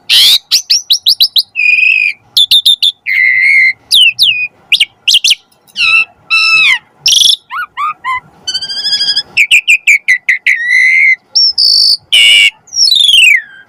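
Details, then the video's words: Varied, loud song of an Asian pied starling, a training recording for cage birds: fast stuttered clicks, rich harmonic whistles, rising and falling slurs and harsh bursts, nearly continuous throughout. "Suara Burung Jalak Suren - Masteran & Pancingan Jalak Agar Mompa Gacor"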